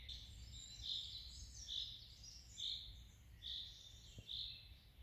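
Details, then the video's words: Songbird singing in the morning at a dacha, a country cottage garden: short bright chirped phrases about once a second, some buzzy notes, over a low steady rumble of background noise. "Прекрасное пение птиц на даче утром"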